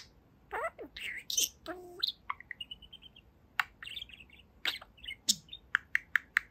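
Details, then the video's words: Two-year-old talking budgerigar, a pet bird indoors, mixing grating word-like phrases, a run of small high tweets and sharp repeated clicks that quicken toward the end. "Boba the Budgie Talks for 4 Minutes! | Talking Parakeet"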